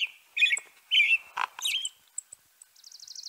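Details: European robin singing a short varied phrase: warbled notes around mid-high pitch, a sharp lower burst, thin high squeaks, then a fast, fine, very high trill fading at the end. No other sounds.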